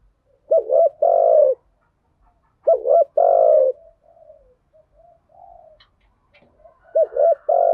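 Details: Spotted dove lure calls, male and female, in the 'thúc gù' and 'gáy gọi' styles, used to stimulate newly caught birds: three loud bursts of low, rounded, throaty coos with a double-note opening, separated by quiet gaps and softer murmurs.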